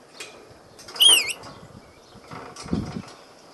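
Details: Pet rainbow lorikeet playing the clown: one short, harsh, wavering screech with a rapid warbling wobble, amid soft rustling and scuffling noises.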